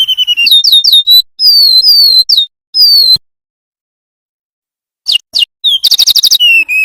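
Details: Tutor song of the golden-bellied gerygone, a small yellow songbird: bright descending whistles and chirps delivered in fast bursts, a pause of about two seconds, then sharp notes and a rapid trill.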